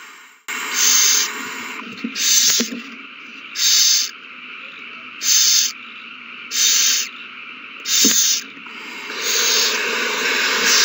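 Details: A prey frenzy of owls at the nest after a mouse is found and handed over, 21 March 2020. Harsh hissing bursts repeat fairly steadily about every one and a half seconds, ending in a longer hiss.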